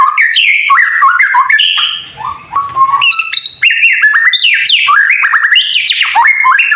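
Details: White-rumped shama in kretekan song, used to provoke other birds into singing: rapid run of sharp, varied whistled notes leaping up and down, a brief quieter pause with low rumble near two seconds, then renewed bursts of bright, jumpy phrases.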